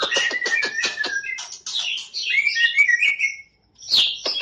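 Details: Song burst, or 'tembakan', from a champion white-rumped shama competition bird: a quick volley of sharp clicking notes leads into rich, tumbling whistled warbles, then a brief pause and a final high flourish.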